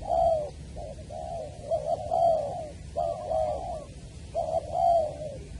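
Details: Spotted dove cooing during decoy trapping at Long Đức, Trà Vinh, on 23 January 2020: throaty, slightly quavering coo phrases, each a brief lead note then a longer rolling coo, over a low background drone.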